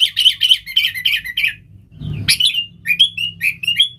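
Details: Sooty-headed bulbul used to lure wild birds: a quick series of bubbling chattering notes, a short pause with a low thud, then clear separate whistled notes.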